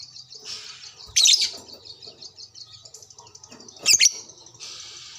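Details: Lovebird calling back to another lovebird with continuous high rattling chatter broken by two harsh, loud screeches about three seconds apart, ending in a buzzy hiss-like burst.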